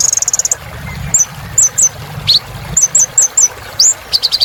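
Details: Sunbird in energetic singing form, used to coax silent caged birds into song: a fast buzzy trill opens, followed by short high chirps in pairs and threes and a rising whistled upslur.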